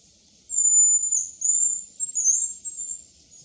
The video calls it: Hazel grouse call/들꿩 소리